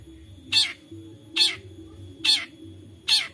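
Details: A long-tailed shrike (Lanius schach) in Central Java, recorded on a phone as a lure to stir other shrikes to sing, gives four loud, harsh, scratchy notes, one a little under every second, over a faint low hum.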